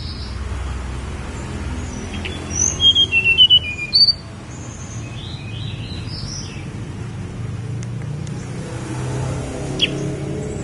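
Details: Snowy-browed flycatcher giving a brief burst of five or six high, squeaky notes, followed by softer distant chirps and faint background hiss.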